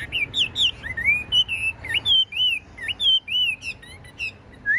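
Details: Chinese hwamei kept in a cage, tame, with a wide spread tail: high, bright whistled notes in short swooping and rising phrases, repeated several times a second with brief gaps.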